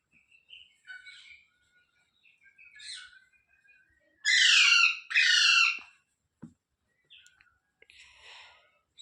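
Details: Pet rose-ringed parakeet giving soft chirps and whistles, then two loud, harsh, buzzy squawks in quick succession, each nearly a second long, followed by quieter chatter.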